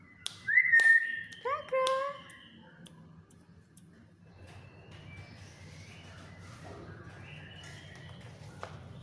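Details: Talkative captive black-capped lory utters a quick burst of short, harmonic, slightly falling whistled notes in the first two seconds, followed by a low steady hum and faint quiet chatter.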